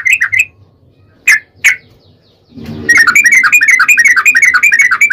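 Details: Yellow-vented bulbul singing a lure song meant to provoke other bulbuls into answering: a few quick bubbly notes and two isolated sharp calls, then a dense, rapid rolling run of warbled notes.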